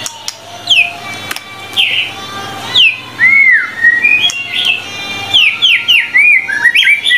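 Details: Tutor recording of a vigorously singing white-rumped shama: loud, clear whistled phrases, each swooping downward, with slurred rising-and-falling notes that quicken into a varied, melodious run near the end.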